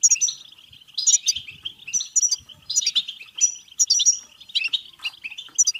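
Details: Rapid, bubbling 'betbeta' song of a European goldfinch, played to encourage singing and breeding; bursts of tinkling notes arrive about every second, with a steady thin trill beneath.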